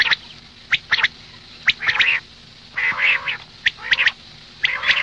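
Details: Female common quail producing hoarse, buzzy bursts interspersed with sharp clicks, spaced about a second apart over a quiet background.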